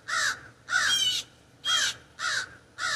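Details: Backyard raven perched in an ash tree, recorded from indoors: five loud, grating caws in three seconds, the second one longer and more drawn out than the rest.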